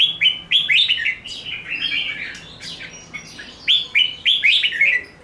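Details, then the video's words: Red-whiskered bulbul singing an intense fighting song with 'ché nẹt' notes, a fast run of bright slurred whistles, a quieter middle passage, then another quick burst of clear notes. "Chào mào hót đấu ché nẹt cực sung"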